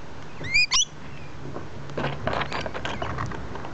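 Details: A rainbow lorikeet hanging in a tree gives two quick, shrill, squeaky notes, then soft scratching and rustling with a low background hum.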